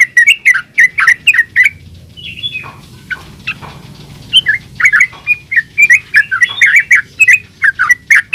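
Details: Yellow-vented bulbul singing ropel-style gacor song for luring other bulbuls to respond; fast chattering phrases of sharp chirps, a short pause in the middle, then a dense burst of repeated notes to the end.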